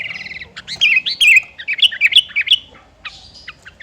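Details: Gacor song of a sooty-headed bulbul, meant to lure rivals into singing back: bright chattering phrases of quick rising-and-falling whistled notes in a rapid sequence, then a few softer scattered chirps.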